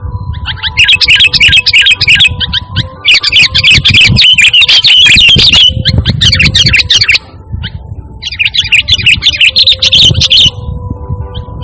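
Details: Lively sooty-headed bulbul in full voice, plain song without mimicry, played to call and tutor kept birds; dense, rapid chattering high notes in long continuous bursts broken by brief pauses, over a steady low electrical hum.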